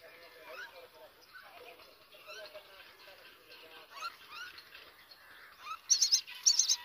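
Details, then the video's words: Newly hatched common myna chicks keep up a soft run of thin, scratchy chirps, then burst into loud, harsh begging squeals near the end as the mother feeds them. "Myna bird chicks born chirping"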